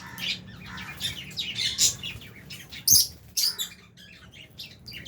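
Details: Albino and Fisher's lovebirds in an aviary with budgie parrots at feeding time give rapid high chirps and a few harsher squawks, bunched into short busy bursts with brief pauses.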